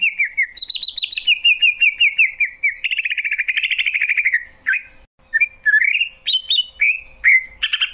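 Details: Greater green leafbird singing a rapid series of repeated rising-falling trills, then a fast buzzy chatter, a brief pause, and varied whistled slurs and sharp notes; no other sounds.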